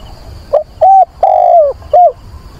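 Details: Caged decoy dove cooing to attract a mate during windy, rainy weather on 24 September: four mellow coos, the third long and slowly falling, the others short and rounded, with a faint constant high tone behind.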